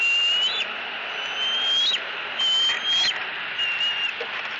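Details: An eaglet begging its mother for food in southwest Florida. Thin, level, whistled squeals, each tipping upward at the close, sound about once a second and fade toward the end over background hiss.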